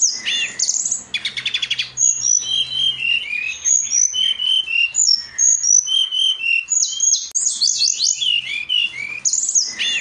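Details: Brown-chested jungle flycatcher song, used as a masteran tutor recording, made of rapid, varied high whistled notes and slurred phrases, interrupted by short buzzy rattling bursts, with near-continuous phrasing throughout.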